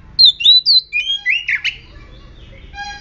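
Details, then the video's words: Aggressive oriental magpie-robin song serving as a lure to make other magpie-robins sing. Three loud clear whistles, then slurred warbles and a harsh rasp, dropping to faint thin notes. "Murai Kampung Galak - Denak Murai Cacing - Pancingan Kacer Gacor Langsung Bunyi - Chòe Than Hót"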